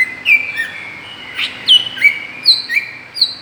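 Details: Greater green leafbird lure sound for provoking other birds, made of bright whistled notes that slide sharply up or down, several per second, with one short rasping burst.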